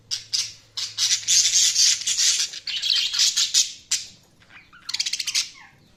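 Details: Budgerigars chirping and chattering: dense, scratchy, high warbling bursts broken by short pauses, then a fast stuttering trill of clipped notes near the end.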